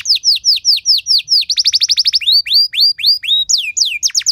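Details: Canary song for training other canaries, with rich ornamented phrasing: evenly spaced falling whistles, a burst of rapid trilled notes, then slower upward and downward slurred syllables, all high and clear.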